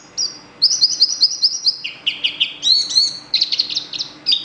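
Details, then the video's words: Yellow bird singing: bright high whistled notes in quick series, a run of short repeated chirps, then varied slurred whistles rising and falling, with brief pauses; quiet background. "Burung bersiul"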